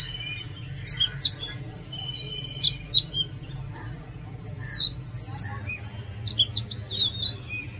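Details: Oriental magpie-robin singing loudly: varied whistled phrases with sharp clicks and slurred high notes, repeated in short bursts throughout, over a steady low background hum.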